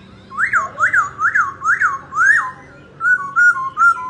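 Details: Laughingthrush singing as it dances: five strong whistled notes, each rising then falling in an arch, repeated about every half second, then a brief pause and three shorter level whistles dropping at the end.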